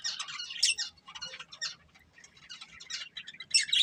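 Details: A breeding pair of budgerigars chirping: rapid buzzy chatter and bright squeaky tweets, a quieter stretch mid-way, then louder sharp notes at the end.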